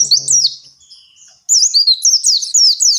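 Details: Oriental white-eye singing in the long continuous 'ngalas' style meant to coax caged white-eyes into song; a bright warbled phrase fades into a brief lull, then a rapid run of sharp, squeaky, high-pitched notes follows.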